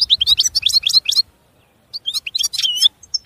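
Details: European goldfinch song: quick bright tinkling chirps and twittered notes in a rapid burst, a brief silence, then another lively run of liquid twitters and a few single high notes.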